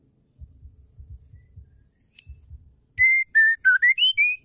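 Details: Female Oriental magpie-robin song, used to make male birds sing and grow excited: a few soft low thumps, then a loud run of clear whistles, steady notes giving way to a dip and rising slurs.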